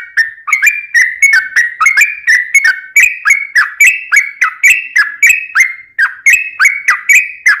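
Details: Continuous chattering whistle song from a sooty-headed bulbul, played to provoke others to sing; crisp-onset warbled notes run evenly at roughly three per second throughout.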